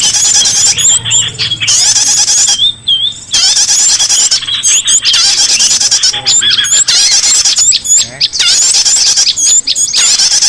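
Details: Lure sound of small birds for recalling escaped cage birds: long stretches of dense, shrill squealing chatter alternate with short pauses holding single upward-flicked whistles.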